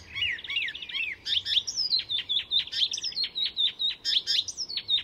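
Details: Loud, close song from an Icterine Warbler copying other species, Fysingen reserve near Stockholm: a brief trill, then a steady chain of sharp, high chattering notes, about two to three per second, delivered without pause.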